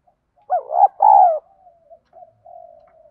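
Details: Spotted dove lure song for provoking fights, deep 'giọng đồng' voice: a wavering coo and a long falling coo, followed by several soft low hums trailing off.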